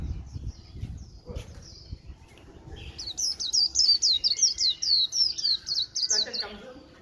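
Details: White-eye in a cage, said to warble all day in the líu style. Muffled knocks and faint notes come first, then a fast run of very high, thin chirps, about four a second, ending in a lower slurred phrase.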